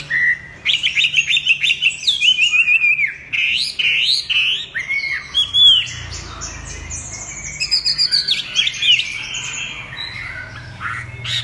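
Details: Chinese hwamei singing a lively, varied run of sharp whistled notes and quick chirps, the phrases jumping between pitches with brief pauses, against a low steady background hum.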